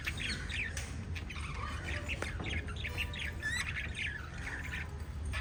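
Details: Pet budgerigars, a family group of five, chirping in a busy overlapping chatter of short rising and falling warbles and squawks, with a steady low rumble of background noise underneath.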